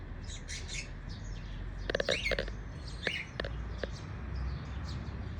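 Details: A pet cockatiel in the morning gives short chirps and a few harsher squawky notes over a low background hum.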